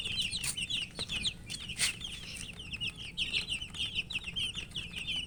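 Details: Thirsty colour chicks calling for drinking water as they eat: many shrill, falling peeps in rapid overlapping bursts, a steady chorus broken by occasional sharp clicks and knocks.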